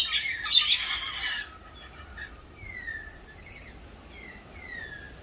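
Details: Australian rainbow lorikeets in a feeding frenzy: a loud harsh burst of screeching at the start, then scattered thin, sliding squeaks and chatter over a low background rumble.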